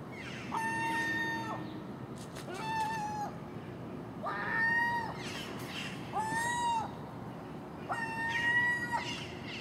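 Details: Early-morning common gull calls as the birds feed on garbage put out at a house, alongside a magpie and crow; a series of five long, flat, harmonic-rich wailing notes roughly every two seconds, each bending down at the end.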